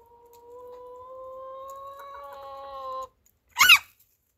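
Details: Chicken giving one long, steady, slightly rising voiced note with strong harmonics that holds for about three seconds, then stops; after a short pause comes a single brief, harsh, noisy burst. No other sounds.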